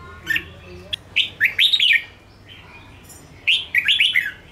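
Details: Red-whiskered bulbul song played to excite and train caged birds: scattered whistled notes building into rapid clusters of falling, slurred whistles in two bursts.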